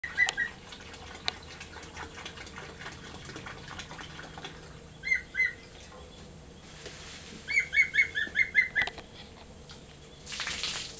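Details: A captive Black-and-white hawk-eagle, a former pet at Ecoparque Panama near Panama City, at feeding time on mice: short, sharp, down-slurred whistled notes, first a pair, then a quick run of about seven, over a steady low hum and a brief rush of noise.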